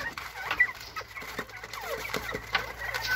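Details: Bobwhite quail chatting: a steady stream of soft, short chips and clucks, many dropping quickly in pitch, overlapping as if from several birds, with a faint low hum underneath.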